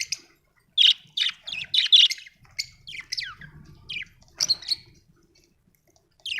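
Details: Cheerful budgerigar chirping: a burst of harsh, buzzy notes, then softer scattered tweets and falling squeaks spaced out over a few seconds.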